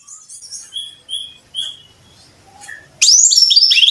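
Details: Song of a brown-chested jungle flycatcher, played to train caged birds: clear high whistled notes spaced apart, a soft pause, then a loud burst of tumbling, warbled high phrases.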